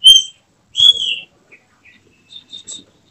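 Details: Caged kacer, the oriental magpie-robin, groomed for contests: two loud, clear whistles, the second longer and slightly falling, followed by a few soft, short chirps.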